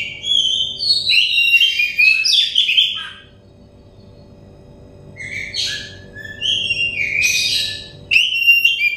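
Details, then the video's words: Kacer, the Oriental magpie-robin, singing as therapy for a stressed bird so it sings loudly: a dense three-second run of rich whistled and chattering phrases, a pause, then further sweeping, warbled phrases, with a low constant hum behind. "terepi kacer bahan kacer setres kacer daon cepat gacor ngeplong"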